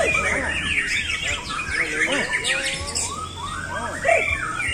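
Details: A pet White-rumped Shama of the Ontorejo line, with little variation in style, sings from one spot a rich, varied run of swooping whistles and sharp chirps with quick pitch shifts while a man talks.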